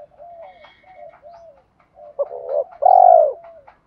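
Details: Decoy spotted dove used to excite wild doves: soft low murmuring coos build into a hoarse doubled note and one long, loud, deep coo, over a faint thin high tone.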